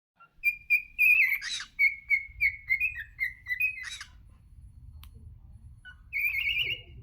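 A cockatiel whistles a run of clear, slightly wavering notes near one pitch, then a longer rising whistle.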